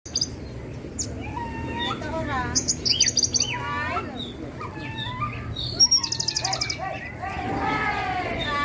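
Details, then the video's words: Javan bushlark of the Parva type singing a varied medley of rising whistled slurs, short buzzy trills and high rapid chip series, with phrases tumbling over one another and a steady low hum underneath. "Suara Burung Branjangan Parva"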